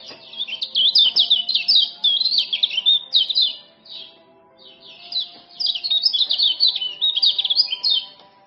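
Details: Male common iora from Lombok singing a lure song meant to coax silent birds back into voice: fast, busy chattering phrases of high scratchy notes, two long bursts with a short gap, faint steady hum below.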